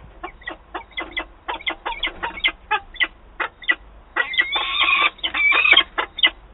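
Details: Peregrine falcon at a nest in Wałbrzych, Poland, on 8 August 2022, during a meeting between birds: rapid harsh chattering notes in quick bursts, building into a louder, denser, grating run toward the end.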